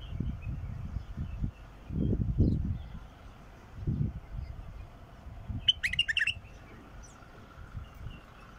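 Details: A 'mukhlif' bulbul singing, meant to start a quiet bulbul singing: one short, fast phrase of chirpy warbled notes late in the recording, with thumping low-pitched rumbles and handling noise beforehand.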